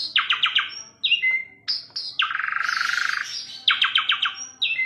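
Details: Asian pied starling song: quick bursts of repeated chattering notes alternate with short whistles and a long rasping, buzzy trill in the middle.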